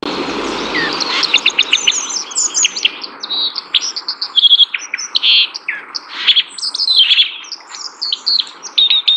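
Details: White-throated dipper (Cinclus cinclus), a bird of swift rivers and streams, calls with a quick run of sharp, high, sweet chirps and trills that shift in pitch, with a brief low rush of water at the start.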